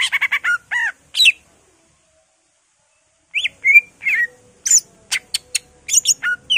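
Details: Emotional ngentrok song of a greater green leafbird full of mimicked phrases from magpie-robin, laughingthrush, cililin, white-eye and canary: varied high whistles and sharp chips, a long silence midway, then scattered notes and clicks.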